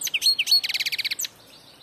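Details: Goldfinch song phrase: a few bright, high chirps followed by a fast run of about ten evenly spaced tinkling notes and a final sharp note, then quiet.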